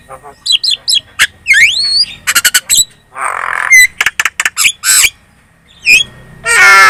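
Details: Javan myna lure song used to make other birds answer: quick chattering clicks, harsh squawks, a noisy rasp and slurred whistles, ending in a loud burst of buzzy noise.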